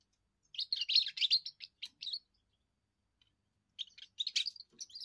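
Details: European goldfinch, a young bird in its first song, which claims territory and attracts females: a lively tangle of tinkling, twittering notes, a pause of over a second, then more scattered bright chirps.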